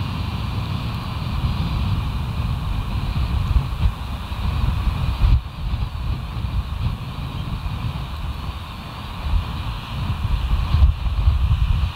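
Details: Steady low wind-like rumble with no animal calls heard.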